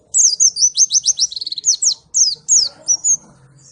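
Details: Continuous rapid warbling of a Malang white-eye (pleci), Indonesia: very high slurred whistles and fast trilled notes run together, with a brief pause midway and soft low background murmur.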